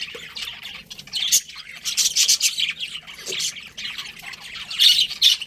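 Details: Several budgies chirp in overlapping, scratchy warbles, swelling into louder clusters of tweets at intervals, with quieter gaps of soft twittering between them.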